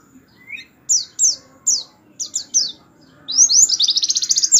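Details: Canary 'tembakan' song played as a master for white-eyes: a low rising note, then several sharp descending high chips, building into a rapid, rolled, buzzy trill at the end over a faint background hum.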